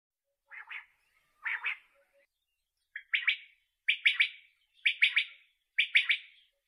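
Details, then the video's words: A common quail gives its liquid, clipped three-note 'wet-my-lips' phrase, repeated about once a second, starting softer and growing louder, with no other sounds. "Перепел. Перепёлка. Голоса птиц"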